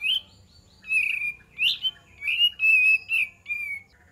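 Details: Lure song from a kapas tembak, meant to draw an answering bird. Loud, rich whistles rise and fall in about eight linked phrases, some swelling strongly before easing into a softer ending.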